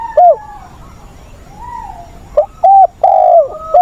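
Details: Decoy spotted dove, wild-caught voice style, helping train newly caught birds on 20 August; soft sliding whistles in the background, then a phrase of round coos with a long falling middle note and short hoots around it.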